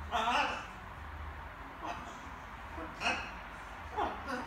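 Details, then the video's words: Little macaw practising words indoors at evening: a drawn-out raspy syllable first, then several shorter word-like sounds spaced about a second apart. "Wieczorne gaworzenie małej papużki"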